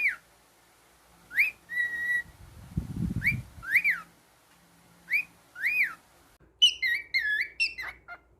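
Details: A pet cockatiel, male, whistles sharp rising-and-falling notes in pairs separated by pauses, with a burst of low rumbling noise midway and a quick twittering phrase of warbled whistles at the end.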